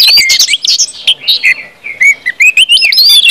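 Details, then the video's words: Full 'ngeplong' song of an orange-headed thrush, used to get other birds singing: quick, clear whistled phrases rising and falling, with short gaps between bursts. "KUMPULAN ANIS MERAH NGEPLONG BIKIN CEPAT BUNYI DAN GACOR ANIS MERAH"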